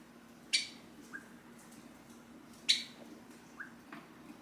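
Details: Caged, hand-tame Java sparrow calling for its owner, who is rising from a seat: two loud, sharp chip notes about two seconds apart, with soft, short lower peeps in between, over a faint indoor hum.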